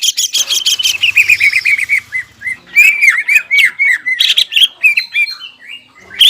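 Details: Singing greater green leafbird, crested and in full song, played to rouse stressed leafbirds that have gone quiet; fast run of high slurred whistles and sharp chirps, dense and varied, with brief gaps.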